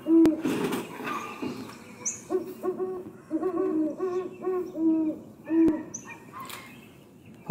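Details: A Great Horned Owl recording of an Iowa owl, described as five hoots and played toward a microphone, gives a run of deep, soft, evenly pitched hoots in short clustered series, with faint room noise behind.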